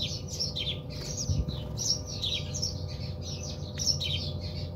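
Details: Chirping house sparrows bathing in a home in South Africa, sharp notes crowding together in lively runs, a faint thump and steady hum in the background.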